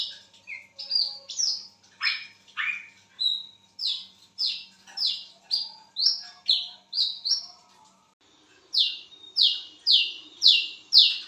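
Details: At midnight a lesser whistling duck delivers a long series of shrill, downslurred whistles, roughly two per second, breaking off briefly before a final burst of five.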